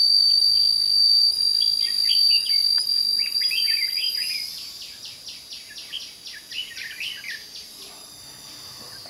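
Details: Red-whiskered bulbul (chào mào) in fighting song, a decoy bird used for trapping at Thanh Liêm, 29 May 2016. Short warbled, slurred phrases come over a steady shrill insect drone, which fades midway to leave a fast run of evenly repeated clicking notes.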